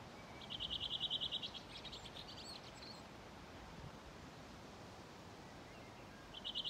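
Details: Redwing singing its dialect song along the Ljustorpsån river by a gravel pit in Timrå, Sweden, on 5 June 2023: a rapid run of high, evenly repeated notes, then a softer scratchy twitter, with a new phrase starting about six seconds later.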